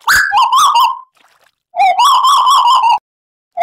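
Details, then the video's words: Tuwu bird, gacor, with added trickling water. A sharp opening note leads into long, sustained, quavering whistles that hold a steady mid pitch, separated by a short silence. "Tuwu Gacor Audio - Tembakan Lampiran Burung Tuwu Gacor Sadis"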